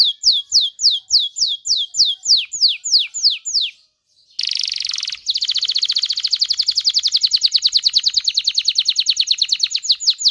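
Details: Excited canary song to stimulate males and females to mate: a steady series of sharp descending whistled notes about three per second, a pause, then a buzzy burst and a long fast trill.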